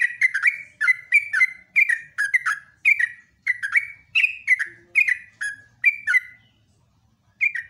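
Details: Yellow-vented bulbul (jogjog) in full morning voice, ropelan-style song: a steady stream of bright, gurgling two- and three-note slurs repeated almost without a break, ending in a short pause before another phrase.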